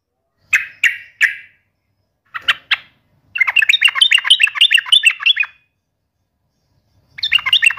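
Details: Yellow-vented bulbul taunting an opponent: three spaced clear chirps, a pair of harsher notes, then a two-second run of rapid bubbling, undulating notes, restarting near the end.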